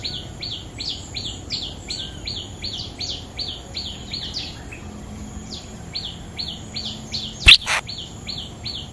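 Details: Bulbul song with a territory owner nearby: rapid series of downslurred whistled notes, repeated in long runs, a loud click near the end, and a faint steady high whine.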